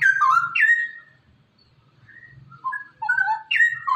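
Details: A straw-headed bulbul gives loud, rich gurgling whistles in bursts, sliding between about one and two kilohertz, over a low hum. The sound is played to stimulate other bulbuls that are reluctant to sing.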